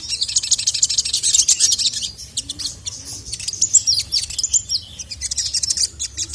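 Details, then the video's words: Sogon, worked up and calling a male, gives a dense stream of sharp, high-pitched chirps and short trills, steady and lively throughout. "SOGON MANAPUN NGAMUK GACOR LANGSUNG EMOSI dengar masteran burung sogon memanggil jantan ini"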